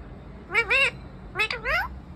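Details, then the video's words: Parrot on a tree talking continuously, with two speech-like phrases of paired syllables, each gliding down and then up in pitch, sounding like mimicked words. "Cute 🥰 Talking Parrot 🦜"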